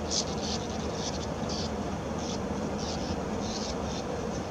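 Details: Sand martins (bank swallows) at a quarry colony in May 2016, after establishing nest holes, flying synchronized circles and loops; short, dry, buzzy notes, a rough burst every half second or so, over steady low background rumble.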